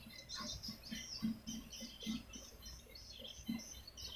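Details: Calls played to lure swiftlets: bright high chirps and short trills over a string of soft low clicks, uneven in rhythm, roughly one every second or so.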